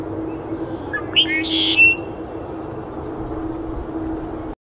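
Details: A juvenile red-winged blackbird at Iona Beach, 22 January, gives a short song: a few rising notes, a harsh buzzy trill, then a quick series of thin high notes over a steady low hum.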